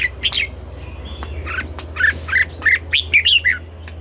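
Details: Red-whiskered bulbul morning song in double-note style: a busy run of chirps and warbled notes, growing into a lively phrase near the end, over a low hum and light clicks.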